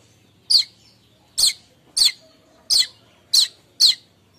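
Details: Streaked weaver chattering in the morning, a kemrecek lure call: six loud, scratchy chip notes at fairly even intervals of about half a second, over a quiet low hum.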